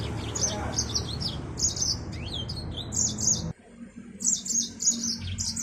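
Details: A Yellow-fronted canary, the African Mozambique finch, gives bursts of high, thin chirps and quick sweeping notes. Rumbling background noise drops away midway, leaving the song clearer.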